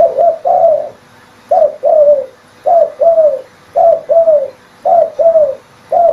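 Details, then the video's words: Spotted dove cooing used as a trapping lure, phrases repeated about once a second: each a brief wavering coo then a longer, slightly descending coo, six phrases in steady succession with a faint steady hum behind. "Suara pancingan burung tekukur"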